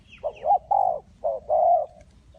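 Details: Spotted dove at a trapping site in Ninh Thuận. A soft short hoot leads into a drawn-out mellow coo, then the pattern repeats. A faint high chirp is heard at the start.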